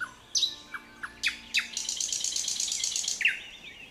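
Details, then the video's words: A nightingale sings in an overgrown abandoned apple orchard on the southeastern outskirts of Ryazan, Russia, nesting in grass thickets: a few sharp, high, down-slurred notes, then a fast, dry buzzy rattle over a second, and a final clipped note. "Nightingale sings."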